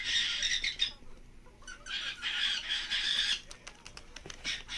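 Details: Scaly-breasted parakeet appearing among cockatiels, harsh bursts of screechy chatter in two long stretches with brief gaps, mixed with flutter and clicks.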